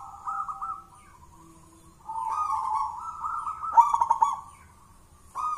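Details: Wild local zebra dove, jolotundo type, thick-voiced lure bird: a short cooing phrase, a pause, then a long rolling trilled coo with a sharp accented burst near its end, another phrase beginning as the recording stops.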